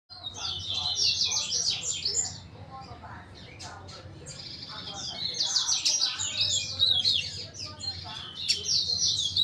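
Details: Double-collared seedeater singing a rapid, high twittering song of quick varied notes in two long phrases, with a low steady hum beneath.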